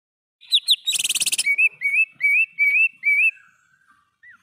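Greater green leafbird song: two clear downslurred notes, a fast buzzy rattle, then five rising whistled slurs about twice a second, ending on a lone note.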